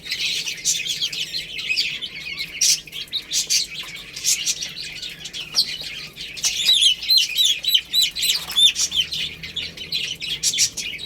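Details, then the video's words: Baby chickens eating rice and playing, a group chirping together: dense, overlapping high-pitched peeps and short tweets run continuously throughout, with sharp clicking bursts mixed in and brief dips between calls, no other clear sounds. "Beautiful Chicks Chirping Sounds"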